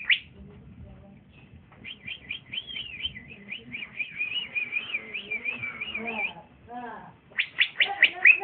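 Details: Bold young male green leafbird in trotolan style when paired with another: a sharp note, then a long chain of looping, wavering high whistles, a low rattly sound and a closing flurry of loud chirps.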